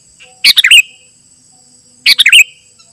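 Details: Two quick, bubbly phrases of liquid, tumbling notes about a second and a half apart from a sooty-headed bulbul, used to attract wild birds and as a tutor, with a faint high whine behind.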